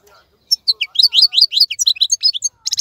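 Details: European goldfinch, a 'khalawi' wild-type bird still in full song as others moult; a short dense stream of bright, high tinkling chirps with a buzzy rattling end.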